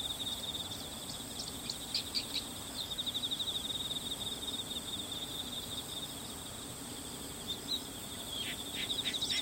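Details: One bull-headed shrike, possibly female rather than male, filmed 22 September 2015 on a Canon PowerShot SX60 HS with external microphone; two short bursts of harsh, scratchy notes early and late, over continuous shrill insect chirring.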